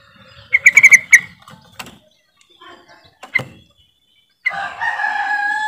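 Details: Yellow-vented bulbul (trucukan) calling to prompt silent birds to sing: quick bubbly burst of five or six chattering notes, a single sharp note, a brief reprise, then a sustained harmonic warbling phrase at the end.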